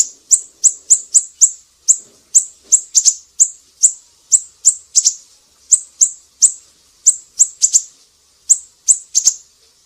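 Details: Siri-siri singing, recorded as tutor material for cage songbirds: quick, high-pitched chip notes in a near-continuous run, with occasional doubled notes and brief gaps.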